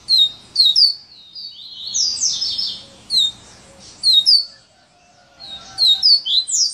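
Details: Coleiro (Double-collared seedeater) in "serra elétrica" song style: clusters of high sharp whistled slurs alternating with harsh buzzy rasping phrases, delivered in bursts with brief gaps.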